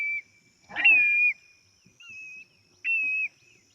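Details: A Black-bellied Plover, a coastal bird of the Eastern Shore, gives three clear, plaintive whistles, each about half a second long and slightly slurred, over a faint steady high hum.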